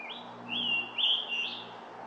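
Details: Scarlet tanager (Piranga olivacea) on the south side trail at Stony Brook Audubon Wildlife Sanctuary, singing four quick, hoarse, burry phrases, high and slurred like a robin with a sore throat, over a faint low hum.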